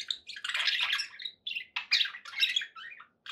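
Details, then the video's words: Budgerigars chirping happily indoors: a long buzzy warbling burst at the start, then choppy runs of scratchy chirps and short whistled notes with brief pauses. "happy budgie sounds"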